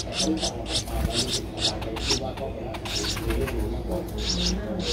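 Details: High thin chirps from a 12-day-old streak-eared bulbul nestling in Ubon Ratchathani, Thailand, 14 April 2023, uttered in loose clusters against a steady low background hum.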